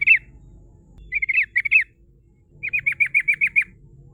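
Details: Sooty-headed bulbul giving a rolling 'ngerol' lure song to call rivals: a few slurred, dropping whistled notes, then a quick run of seven down-slurred chips, against a quiet low rumble.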